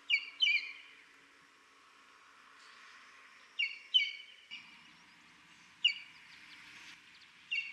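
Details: Recorded in Buffalo Springs National Reserve, Samburu, Kenya, a Buff-crested Bustard repeats sharp, bright, falling notes in pairs and singles with gaps of up to three seconds, accompanied by faint rustling and a soft low hum.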